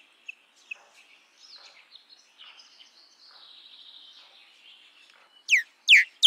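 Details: Common myna, also known as Indian myna: scattered soft clicks and a quiet warbling, chattering phrase, ending with three loud, harsh downward-swept notes in quick succession.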